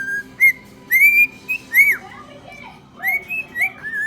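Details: A male cockatiel whistles "September" by Earth, Wind & Fire, a tune he learned from his younger brother, in clear, bright notes that rise and fall.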